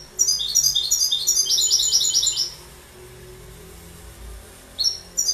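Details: Bright, fast twittering goldfinch song of high tinkling syllables for about two seconds, then a quiet gap and the start of another phrase.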